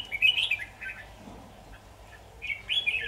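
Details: Red-whiskered bulbul in a decoy-bird trapping setup, 23 October 2019; a burst of sweet warbled notes opens, quiet follows, then another bright phrase returns near the end.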